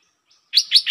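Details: Red-whiskered bulbul: after a near-silent start, three quick, bright whistled notes of rising-then-falling pitch follow one another closely, in the 'lak boen' singing style.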